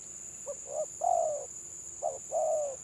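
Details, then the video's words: Spotted dove, village bird, in stuttered 'gagap' song: two short notes, a long descending coo, then a short note and another long falling coo. A steady high-pitched whine sounds behind. "BURUNG TEKUKUR GAGAP VS GAGAP"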